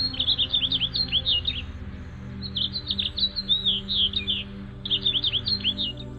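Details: House finch (Haemorhous mexicanus), call.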